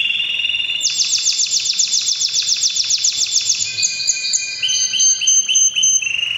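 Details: Canary singing powerfully in breeding season: loud, rapid repeated trills of sharp notes, phrases shifting from a fast even rattle to higher whistled notes and buzzy rolls, continuous and bright.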